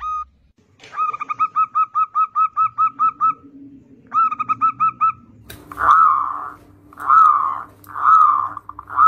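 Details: Zebra dove singing as a lure for young doves: a rapid, very regular string of short coos with a bright overtone, a brief repeat, then slower, rounder warbling coos over a faint hum.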